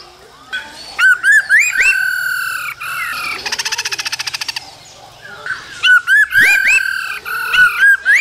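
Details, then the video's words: Singing male laughingthrush with a female calling, cold season, aimed at stimulating young birds; quick rising whistles, then a fast even rattle of clicks for about a second, then more rapid whistled phrases. "Khướu trống hót múa kèm tiếng mái ro kích bổi mùa lạnh"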